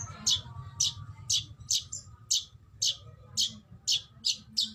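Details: Kacer (Oriental magpie-robin) 'tembakan' bursts for training: loud, crisp high chips repeated roughly every half second in a steady rhythm, with a low murmuring background.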